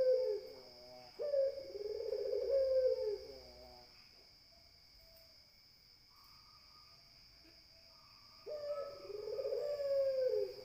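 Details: Spotted dove (puter) gives a long hollow coo, then a quiet stretch with faint distant whistled notes, before another soft rising-falling coo begins; a thin steady hum runs underneath.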